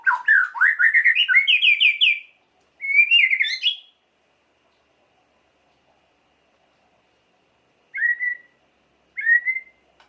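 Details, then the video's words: White-rumped shama song used to provoke emotion: an energetic rising sequence of quick warbled notes, a shorter second phrase, then after silence two single clear downslurred whistles. "Lengkingan KICAU MURAI yang satu ini wajib disimak untuk pancingan emosi Murai Batu"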